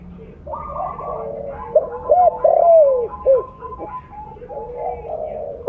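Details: Lure call of a loud 'blorok' spotted dove: a cluster of short arched coos and one drawn-out falling note in mid-clip, against a steady chorus of more distant cooing doves.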